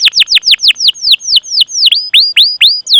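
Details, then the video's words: Canary call series used to prompt other canaries into song: quick repeated downslurred chirps about six per second, shifting to upward-sweeping sharp whistled notes, loud and clear with no other sounds. "Masteran Suara Burung Kenari Gacor Panjang cuit cuit Ngerol untuk Pancingan Kenari!"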